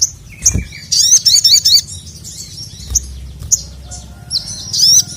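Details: Sogon, or crimson sunbird, calls for a male as training audio for a bird that sings little. It gives a short sliding note, then a quick run of sharp high zigzag twitters, with scattered single chirps and a low background hum.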